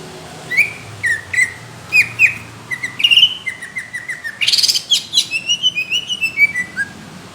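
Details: Greater green leafbird in rough, thick competition-quality song: evenly spaced whistled slurs, then a loud buzzy burst and a quickening series of short repeated notes, about two or three per second.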